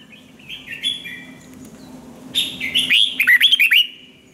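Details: Red-whiskered bulbul song for voice training: soft whistles build into a loud burst of rapid, slurred, up-and-down notes near the end.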